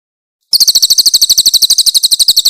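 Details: Loud, clear grey-headed canary-flycatcher song with rough 'tembakan' bursts, meant as a training master for songbirds: half a second of quiet, then a quick, regular trill of very high, sharp notes to the end.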